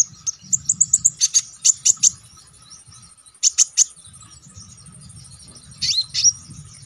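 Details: Konin songbird singing lively and sharp as a training recording for bird song contests: bursts of high, rapid chirps in quick runs, a pause, a second short burst, then a rising whistled phrase near the end.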